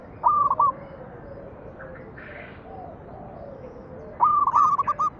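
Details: Zebra dove song played to make other doves sing: a short stuttered coo phrase, a pause filled by softer distant cooing, then a longer rapid run of clipped notes.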